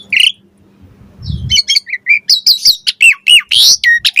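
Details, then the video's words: Asian pied starling singing to prompt other starlings into answering song: a single high note, a quiet pause with low rumbling, then a fast string of whistled slurs, clicks and one broad harsh squawk. "Suara Jalak Suren Bakal Langsung NYAUT Buat Masteran & Pancingan Burung Jalak Agar Gacor Full Isian"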